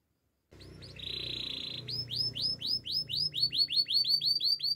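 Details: Timbrado canary, the Spanish song breed, singing a training song: a held metallic trill followed by a long, quickening series of rising whistled notes, with a low background hum throughout.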